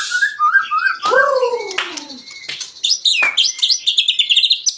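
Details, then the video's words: White-rumped shama song used to provoke other birds into singing: varied rich whistles and descending slurred notes, then a rapid run of high chirps and trills, with a busy mix of overlapping calls. "Pancingan murai batu 🔥 Naikan emosi burung auto ikut gacor"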